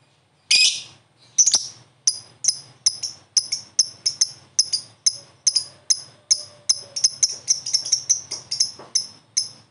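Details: Promising lovebird joining in and answering another lovebird in a long ngekek chatter: sharp, high chirps repeated roughly every half second, becoming quicker and denser toward the end, with no other clear sounds.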